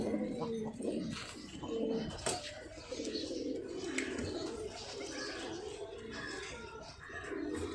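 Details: Caged pigeons offered for sale coo in low, throaty, overlapping phrases, with brief rustles and faint talk nearby in an enclosed space.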